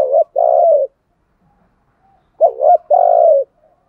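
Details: Caged spotted dove used as a decoy, cooing to lure wild doves: two low, hollow coo phrases about two and a half seconds apart, each a short note followed by a longer steady one, in a quiet setting.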